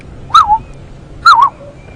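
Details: Bright yellow, black-headed oriole calling in the wild at Djuma Game Reserve, South Africa, during a morning safari drive on 23 September 2015. Two liquid, fluty whistled phrases, each a quick up-and-down slur, are spaced about a second apart over soft background rumble.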